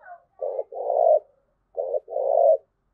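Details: Low, hoarse cooing from a spotted dove in the thúc gù style: two paired phrases, each a short coo followed by a longer, swelling one, about a second apart.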